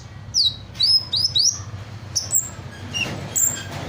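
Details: Hummingbird singing vigorously and mimicking various other birds' calls: sharp high chirps and slurred whistles that sweep downward, given in quick bursts of two or three, with scattered thin high notes between them.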